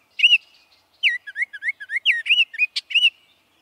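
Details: Baltimore Oriole singing a lively phrase of a dozen rich whistled notes, some rising and some falling, delivered quickly in a rolling sequence after one opening note.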